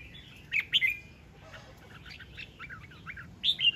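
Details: A displaying decoy red-whiskered bulbul in February 2023 delivers a few clear whistled notes, followed by softer, lower warbling, and ends with a sharper whistled phrase.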